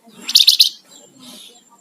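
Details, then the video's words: Flamboyan songbird in energetic singing: three loud, sharp high chirps in quick succession, followed by a softer, hissing note and faint low background rustle. "Suara Burung Flamboyan Gacor"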